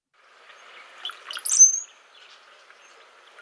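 A Brown-headed Cowbird gives its brief song: a few low, liquid gurgling notes like dripping water, then a thin, very high whistled squeal, over faint background hiss.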